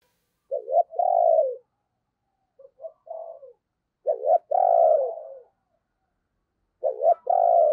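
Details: Spotted dove decoy bird cooing in the morning to lure wild doves: three phrases, each a couple of short clipped notes and then a long, mellow, falling coo, roughly every three seconds, with a softer broken phrase between. No other sounds.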